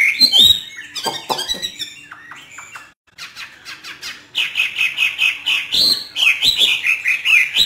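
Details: Hwamei in northern Vietnam, trained in the free-singing hót thả style: bursts of varied chirps and whistles, then a short lull, then a steady run of rapid, evenly pulsed whistled notes.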